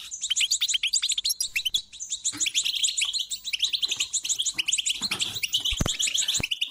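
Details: European goldfinch singing, used to prompt a quiet bird to sing: continuous bright twittering with quick high notes and buzzy trills, faint knocks and clicks near the end.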